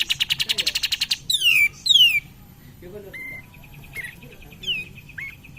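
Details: Cream-vented bulbul song used as a lure for other birds: a fast pulsed trill of about a dozen notes, two loud falling whistled slurs, then faint short notes.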